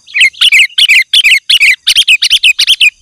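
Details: Sooty-headed bulbul singing energetically, used to call wild bulbuls and provoke them to answer; rapid bubbly, warbled phrases of short liquid notes, nearly three a second, loud and steady, over a faint high hum.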